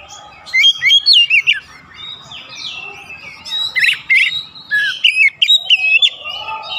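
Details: Oriental magpie-robin song played to rouse birds: bursts of bright whistled and buzzy notes alternating with quieter stretches, over faint low background noise.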